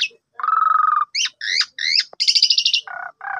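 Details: Morning song of an Asian pied starling, aimed at getting a sulking bird singing: a low steady rattle, three twisting whistled notes, a fast high buzzy trill, then two grating low bursts.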